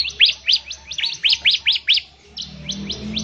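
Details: Bar-winged prinia in vigorous ngebren song to trigger other prinias to sing: seven loud, sharp chirps at an even quick pace, then softer, thinner notes trailing off over a low steady hum.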